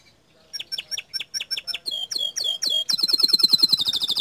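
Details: Singing canary, gacor dor style: evenly spaced sharp chips about four per second, then swooping notes, quickening into a fast high trill.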